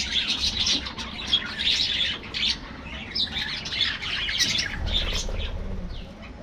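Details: Budgerigars in an aviary colony: dense, overlapping warbles, chirps and squawks from many birds, with a low rumble underneath.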